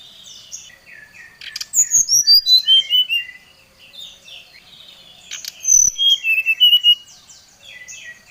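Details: Oriental magpie-robin challenging a rival: soft chattering and twittering, then two loud cascades of whistled notes falling in pitch, each lasting over a second.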